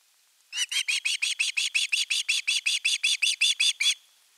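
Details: Nestling osprey in Finland, 10 August 2021, calling long for fish: a burst of roughly eighteen piercing, slightly downslurred squealing notes repeated rapidly and evenly, starting and ending abruptly with silence around.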